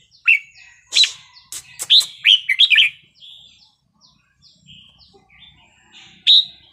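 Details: Red-whiskered bulbul singing in the 'wild song' style with pleasing phrasing, used to rouse other birds: bright, liquid whistled notes in quick bursts around one to three seconds, then softer warbling and a final loud phrase.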